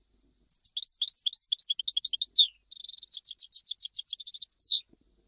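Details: Goldfinch song in the Jijli manner: a tumbling twittered phrase, a short gap, then a run of rapid repeated notes ending in a downslurred buzz.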